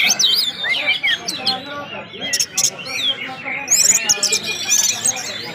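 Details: Orange-headed thrush singing in the ngeplong style, with whistled sounds: a dense run of high, quick sliding whistles and chirps, short trills and sharp overlapping notes, with softer warbling beneath.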